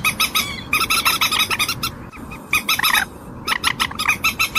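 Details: Common moorhen calling with rapid, grating clucks in bursts, pausing briefly between series, over constant background noise.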